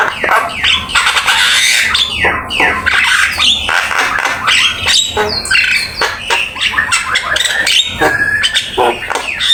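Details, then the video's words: Javan myna master song with many fill-in phrases, heard as loud raspy squawks and chatters alternating with short whistled upsweeps, almost without pause. "Suara jalak kebo gacor !! Full isian ,masteran asik"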